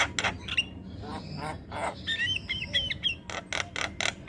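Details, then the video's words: Javan myna singing noisily in a master recording for training birds: harsh rasping bursts alternate with a cluster of squeaky, twisting whistles in the middle of the phrase. "Jalak Kebo gacor Tak Kenal Waktu Bikin Ribut Burung Lain Ikut Bunyi"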